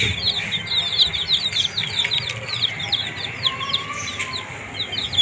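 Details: Baby domestic chicks, kept warm under a heat source, eating green leaves: a dense chorus of high, downward-slurred peeps from several chicks overlapping rapidly, with a brief lower steady whistle near the end.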